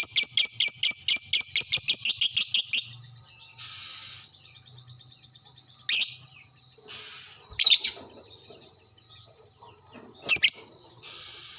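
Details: Caged fighter lovebird answering another lovebird after being lured, giving its ngekek: a fast, even run of shrill chattering pulses lasting nearly three seconds, then softer twittering broken by three sharp, piercing shrieks.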